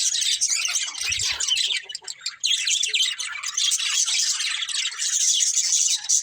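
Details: Budgerigars, a colourful breeding pair, keep up rapid scratchy chirping and warbling, densely layered and high, with a brief softer dip near the middle before the busy chatter resumes.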